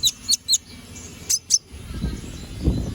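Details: Lively gacor ngobra canary song for training magpie robins: two quick bursts of bright, very high chirps and short falling whistles in the first second and a half, then low muffled noise.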